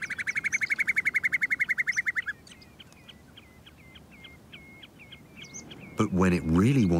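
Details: Common snipe in summer on open volcanic plain by glacial streams, short tussocky grass breeding ground: a fast rattling series of sharp chipping notes, then slower clipped notes about twice a second; a man's voice begins at the end.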